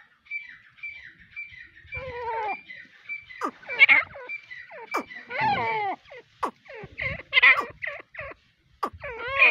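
Grey francolin giving high, thin piping notes in a steady series, then loud harsh rising phrases repeated in bursts, with some background noise.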